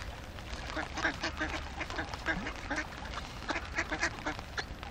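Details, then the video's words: Hungry ducks, about fifty of them, quacking loudly and rapidly in overlapping bursts, with harsh nasal calls rising and falling over a low murmur. "50 голодных уток"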